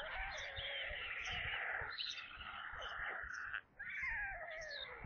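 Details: White storks at their nest during the evening feeding on 22 July 2022 at 17:52, Kaluga region, Russia, on a nest webcam; a corncrake was brought as food. Continuous cat-like wailing calls, rising and falling, with one short pause near the end.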